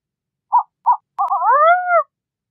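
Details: Burrowing owl (Athene cunicularia): two short, clipped mid-pitched notes, then a harsh, layered call that rises and slurs upward over about a second. No other sounds.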